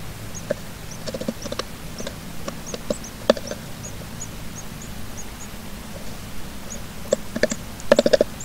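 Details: A female Brown-headed Nuthatch at a nest with her babies, 13 May 2017: thin, very high squeaky notes repeat every half second or so, faint against sharp knocks and taps and a low background hum.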